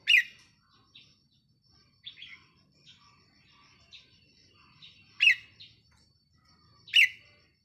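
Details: Decoy red-whiskered bulbul, caged, recorded 4 May 2023; strong sharp warbled notes open and close the stretch, spaced by softer chirps and brief trills, over quiet background.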